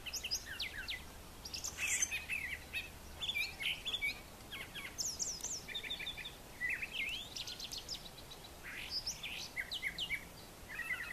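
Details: Brown thrasher, a male, giving his morning song on a farm yard kept brushy for nesting: a long, varied run of crisp chirps, buzzy notes and whistled slurs, phrases changing every second or so, some repeated in pairs.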